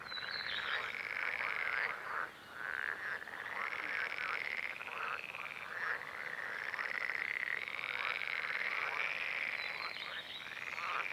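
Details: Two Red-necked Grebes calling together through spring courtship and chick feeding. Loud, braying, squealing wails rise and fall continuously, mixed with buzzy stuttering rattles and brief pauses.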